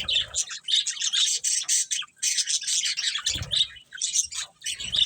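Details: Budgerigars chirping in busy overlapping bursts of high warbled notes and squawks, with brief dips between phrases and low bumps near the start and middle.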